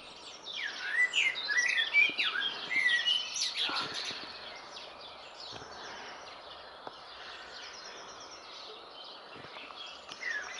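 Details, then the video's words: Male common blackbird singing: a burst of rich, warbled and slurred phrases over the first four seconds, some notes sweeping downward, then fading to quieter, scattered twitters against a soft background hiss. "Le chant du merle"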